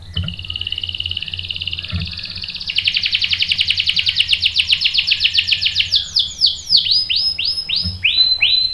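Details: Male canary singing in response to a female used as bait: a long fast trill of rapid repeated notes that grows louder, then slower sweeping downslurred notes at the end.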